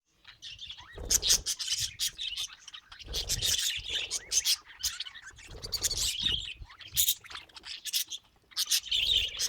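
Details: Several happy pet budgerigars chattering in bursts of scratchy, buzzy warbles and sharp clicks, with short quiet gaps between busy spells and a few low thumps underneath.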